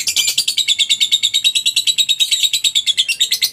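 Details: Lovebird call that lures other lovebirds into song: continuous rapid, buzzy, high twittering, about three notes a second, steady and loud throughout.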